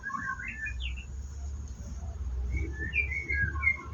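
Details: White-rumped shama at a bird farm in the morning, about to bathe: short clear whistled phrases with gaps between them, later a few higher slurred whistles, over a low rumble.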